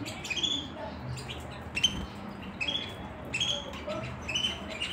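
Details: Singing canary giving repeated bright upslurred chirps, several notes spaced about a second apart, with soft broadband noise behind.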